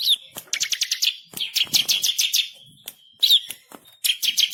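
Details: Bar-winged prinia master song, called ciblek kristal, delivered eagerly with rolling trills and sharp shots. Quick clusters of piercing, buzzy high notes, several brief pauses, and a bright whistled accent between bursts.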